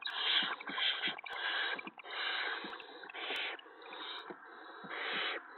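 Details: Barn owl nest at 5:01 AM on April 6, 2017, owlet with a vole delivered by an adult and eaten backwards: loud, rasping, hissing screeches run almost continuously, each a few tenths of a second long, with soft thumps underneath.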